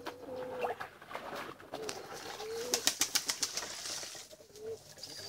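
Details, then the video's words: Begging pigeon chicks give scattered short whistled peeps while a burst of rapid wing flapping clatters through the middle, over soft rustling. "Pigeon chicks crying for food"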